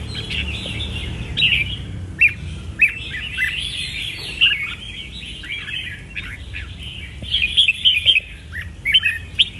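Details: Caged red-whiskered bulbul singing: short bright chirped and warbled phrases in bursts every second or two, over a steady low background hum.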